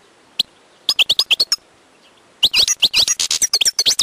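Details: Wild European goldfinch song opening with one chirp and a quick string of clipped notes, then a loud, dense tumbling twitter of high tinkling and buzzy elements.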